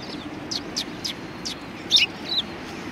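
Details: Several sparrows at a Tenmangu shrine give short, high chirps about every quarter second, then a brief cluster of sharper twittering notes near the end, over a soft low background hum.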